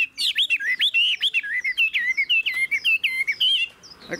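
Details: Chinese hwamei in a cage, a forest-caught bird almost fully tamed. It gives a fast flowing chain of bright, wavering whistled notes at a steady quick pace, about three seconds long, before falling quiet.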